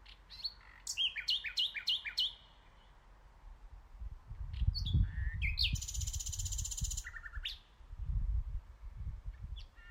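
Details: Common nightingale song outdoors: varied phrases of rapid rising chirps and whistled notes, a dense buzzy burst, then pauses, with low rumbling background noise underneath.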